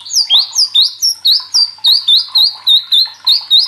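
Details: Murai batu, the white-rumped shama, singing agitatedly in full voice: a steady series of high upslurred whistles, about four every second, each note bright and ringing, with little else heard.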